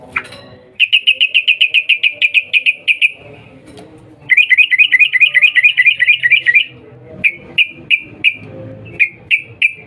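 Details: Lure call of a sooty-headed bulbul, a female calling a male to draw a reply: a long even series of sharp chirps, a brief pause, then a rapid rolling burst of wavering notes, ending in scattered single chirps.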